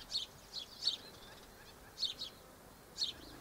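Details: High, slightly buzzy single notes from Double-barred finches filmed 1 December 2013, arriving in loose pairs with short pauses between, over soft background hiss.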